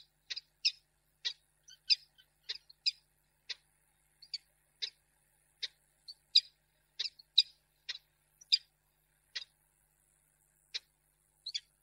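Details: Female peregrine falcon refusing a prey gift, recorded 10 March 2022 in Reda, Poland: sharp, harsh chips repeated irregularly, about two a second, some doubled.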